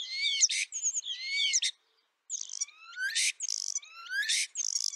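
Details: Asian glossy starling eating ripe papaya at a home, giving sharp, metallic chattering notes and rising whistled squeaks in quick bursts, with a brief pause between phrases.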